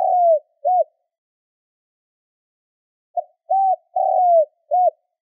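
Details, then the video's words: Spotted dove cooing to draw in wild birds. A long falling coo and a short note end one phrase, then after a pause a full phrase follows: a soft lead-in, an arched coo, an extended descending coo and a quick last coo. "Tiếng cu gáy kích bổi - Suara Pikat & Panggilan Tekukur"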